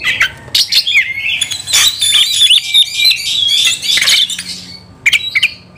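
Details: Oriental magpie-robin, agitated and hunting for a fighting rival, singing loud scratchy and buzzy phrases with whistled notes, fading toward the end before a final short burst.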